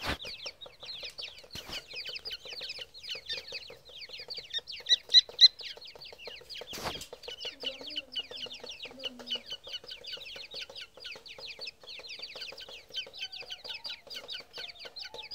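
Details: Several grey francolin chicks give a steady stream of high, downward-slurred peeps, about four per second, with a brief low whine and a sharp knock partway through.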